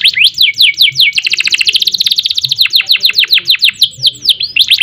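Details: Canary song in an energetic 'gacor' style with rolls and bursts: sweeping rising and falling whistles, then a very fast rattling trill, followed by repeated downslurred notes about five per second.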